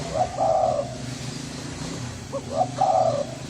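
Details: Hoarse-voiced spotted dove of the Thai strain, calling to lure males and females: a long husky coo, a pause, then two short upswept notes and another drawn-out rough coo, over steady low hum.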